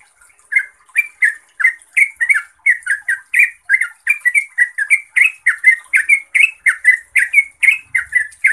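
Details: Sustained gacor singing by a yellow-vented bulbul (trucuk): a long, unbroken stream of rapid, chattering slurred notes, energetic and rhythmic throughout.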